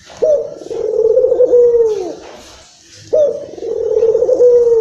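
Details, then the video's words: Indonesian local Barbary dove, described as excited, its call played to stimulate other doves. Two long, rolling coos, each opening with a sharp note and then wavering steadily for about two seconds, roughly three seconds apart. "PUTER LOKAL Emosi...!!! silahkan di putar untuk pancingan burung puter anda."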